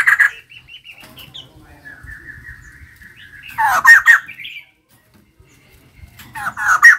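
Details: Female white-crested laughingthrush in energetic song: loud harsh chattering bursts with broad noisy notes, separated by thin sustained whistled tones and quiet gaps, with a low hum underneath.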